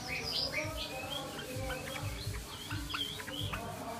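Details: Chinese hwamei singing: a run of loud, clear whistled notes, some slurred upward and some dropping, delivered in quick varied phrases over a low steady hum of background noise.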